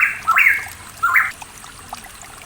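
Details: Pitohui from the East Java mountains, Indonesia, captured as a lure recording for a bird that has stopped singing: two harsh, buzzy, fairly level notes a little under a second apart, then quiet with faint distant chirps.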